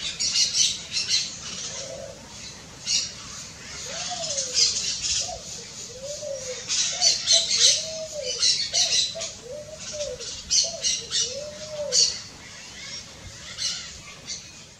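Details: Pale-vented pigeon song in the wild: a steady run of low, rounded coos rising and falling in arcs, about one a second for several seconds, over a dense background of high chirping birds and insects.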